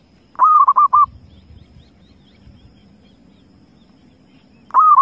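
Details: Wild zebra dove uttering a fast run of about five soft coos, then silence with faint low rumble, before the phrase begins again near the end.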